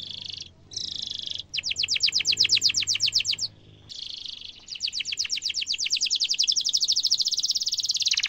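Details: Vigorous canary song with sharp rolls, meant for young canaries to learn from: buzzy sustained notes broken by short gaps, then long, fast pulsing trills that run on almost without pause.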